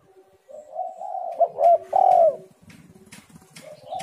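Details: Spotted dove coo phrase, used to coax lazy doves into calling. A long purring coo rises into two loud hooked notes and then fades, followed by clicks and a quieter coo.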